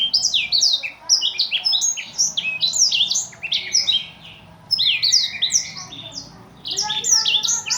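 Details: Nonstop song of an imported Blackthroat, kept as a master for other songbirds: dense, high, rapid twittered phrases of slurred chirps, broken by two short pauses, in a quiet setting.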